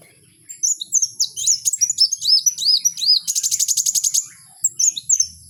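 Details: Kowul singing in the wild: high, rapid twittering song of sharp upslurred and arched whistled notes, then a fast buzzy rattle of about ten even pulses before more chirps.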